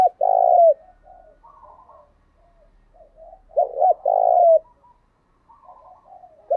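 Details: Lure recording of spotted dove cooing meant to prompt caged wild-caught doves to coo: loud drawn-out burry coos at start and middle, softer broken coo phrases between, faint low hum.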